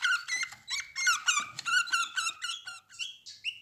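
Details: Eleven-day-old captive budgerigar chicks in a nest box with their mother and siblings, eyes newly open and feathers growing: a fast run of squeaky, buzzy calls with rich overtones, later calls turning thinner and higher.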